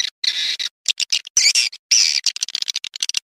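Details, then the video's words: Swiftlet call meant to lure the birds: short bursts of high buzzy twittering separated by brief gaps, with a few rising squeaks and fast clicks. "SUARA WALET PILIHAN TERBAIK"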